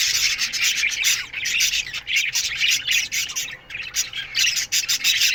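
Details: Many budgerigars in an aviary chirp together in the morning, giving bursts of dense high-pitched chatter and scratchy warbling, broken by brief lulls before the twittering surges again.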